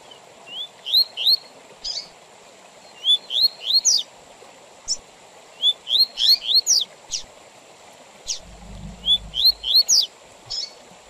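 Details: Tui Tui Zel Zel style song of a double-collared seedeater, recorded with intervals for tutoring young birds and tournament training; three or four bright whistled phrases of rising and falling slurred notes separated by short pauses, over a light background hiss.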